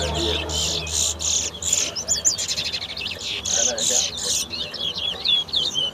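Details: Towa towa, or Large-billed Seed Finch, racing at Guyana's National Stadium bird ground in 2022: several strong buzzy bursts in steady succession, then quick twisting whistled notes, with low hum and voices underneath.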